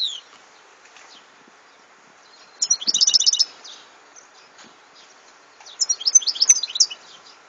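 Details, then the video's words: European goldfinch singing in two bursts of rapid, tinkling, high twittering notes, separated by about three seconds of quiet with faint background hiss. "Chant de chardonneret 2014"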